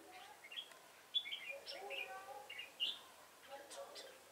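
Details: Red-whiskered bulbul acting as a decoy in fight-trapping, recorded 26 September 2017. It gives quick, varied whistled phrases of short rising and falling notes, with a person talking faintly underneath.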